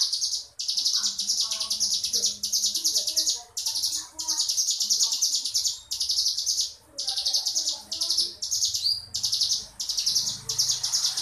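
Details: Ngebrem-style song of a crescent-chested warbler: long, steady series of shrill buzzing bursts separated by brief breaks, with soft lower chirps underneath.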